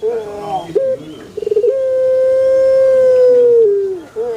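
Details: A male Barbary dove gives a stuttered rolling lead-in followed by a smooth, sustained coo held for about two seconds, then a lower falling end and a soft short note.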